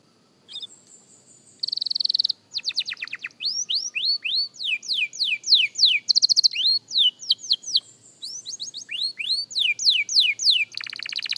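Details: Canary youngster rehearsing its song with a soft opening, a loud buzzy trill, then a long varied run of upswept and downswept whistles and short rattles, repeated around three times a second, ending in another trill.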